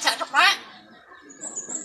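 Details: A common hill myna (Gracula religiosa) mimics human speech with two quick, harsh, voice-like syllables, followed by a faint, thin, high whistle.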